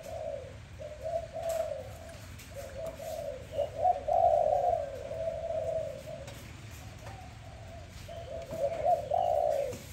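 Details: Dove calling in the morning: soft, low, hooting coos in runs of muffled notes that rise and fall, repeated in phrases over about ten seconds, with a faint room-like background hum.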